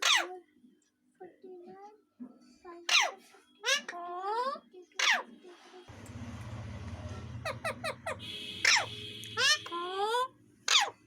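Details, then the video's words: Indoors, a parrot talks and is said to be saying its name: bright harmonic squawks and drawn-out, speech-like syllables follow in irregular bursts, with a rough noisy stretch in the middle and background music. "Parrot talking"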